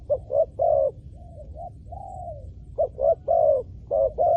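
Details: A spotted dove used to lure wild doves coos in soft, low phrases: clipped notes with a longer one, then quieter drawn-out notes, then another run of short and long coos. A faint rumble lies underneath.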